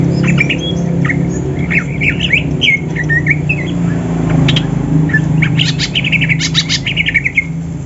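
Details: Greater green leafbirds (Banyuwangi and Sumatran birds) sing in the morning as training for a song contest, seeking a rival: rapid, varied chirps, squeaks and bright whistled phrases, almost continuous, over a steady low hum of traffic.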